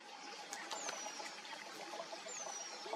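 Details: Eurasian penduline tit (Remiz pendulinus) by a river, where adults feed grown chicks and nests hang from branch tips over the water, gives two very high, thin, drawn-out downslurred whistles about 1.5 seconds apart over steady rushing.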